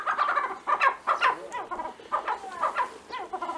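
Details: A feisty male Tibetan snowcock, strutting around, gives harsh, clucking, mid-pitched notes in short bursts, about six in quick succession, with faint background hiss.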